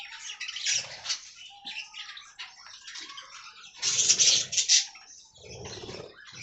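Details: Aviary budgerigar colony warbling in a blurred, buzzy chorus, a louder surge of sharp chirps in the middle, and low thuds of movement.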